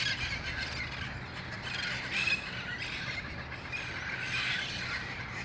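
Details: Wild red-faced parrots gathering in a noisy flock at dusk near El Cajon (August 1, 2018) before heading to nearby roost trees: harsh, overlapping squawks and screeches in uneven bursts over a steady outdoor hiss.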